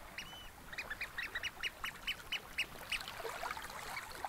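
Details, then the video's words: Oystercatchers at Snettisham Beach, Norfolk, on a spring evening beside gently lapping water; a run of short, sharp piping notes about four per second, steady then breaking off, with quieter lower notes and faint lapping waves behind. "Gentle Waves and Oystercatchers at Snettisham Beach, Norfolk"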